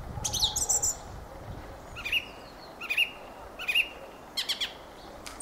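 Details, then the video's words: Fieldfare song: high squeaky twitters in the first second, then short chirps near the middle of the range repeated about every 0.8 seconds, each ending in a thin high flick. "Fenyőrigó ( Turdus pilaris ) éneke"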